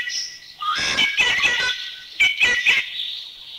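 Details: Rufous treepie giving harsh, metallic notes mixed with ringing whistles in quick, uneven bursts, with a fainter high whistle at the start; recorded in Thai national parks (Khao Yai, Doi Inthanon, Doi Suthep-Pui, Chae Son).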